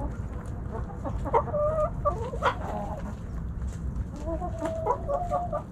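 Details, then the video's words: Backyard hens and roosters snacking at Thanksgiving; a flock trades short tonal clucks and drawn-out rising notes, several birds calling in loose overlapping bursts above constant low background noise. "Backyard Chickens Thanksgiving Snacking Sounds Noises Hens Clucking Roosters Crowing!"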